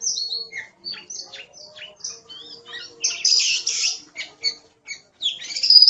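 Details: Oriental magpie-robin, recorded as tutor material for songbirds, singing lively 'gacor' song: a run of thin downslurred whistles and quick twitters, building to a loud harsh burst, then sharp chips and a high ending note.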